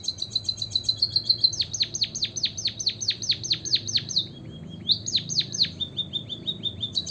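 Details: White-headed munia singing: a thin, high buzzy trill leads into a rapid run of sharp, downward-sweeping whistled notes, about two per second. A brief pause follows, then a second, shorter run.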